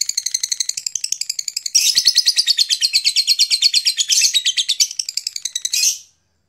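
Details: Lilian's lovebird in its ngekek, a long chattering song: high, rapid chatter of harsh notes, first in separate short bursts, then after about two seconds a louder, dense, unbroken run of fast pulsed notes lasting about four seconds.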